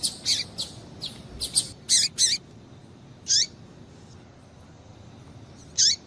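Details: Calls of a female double-collared seedeater, used to stimulate a male: a fast run of shrill chirps, then single high notes with falling tails spaced a second or more apart over quiet background.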